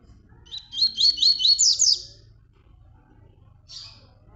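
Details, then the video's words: Tui Tui training song meant for teaching young birds, a rapid run of about seven bright rising whistles over one second, a pause, then one short faint high note, with a soft low hum beneath. "encarte para filhotes, o melhor do encarte, Tui Tui 00"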